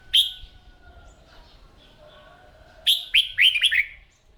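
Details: Red-whiskered bulbul in morning singing practice: one sharp opening note, a pause with faint low tones, then a rapid phrase of five bright, slurred whistles.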